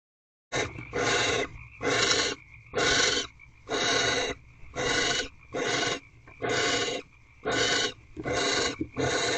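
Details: Barn owls in a nest box at 4:26 am on 17 March 2023, the male returning with prey and then mating with the female on the 27th night; harsh broadband hissing screeches repeat about once a second in steady bursts.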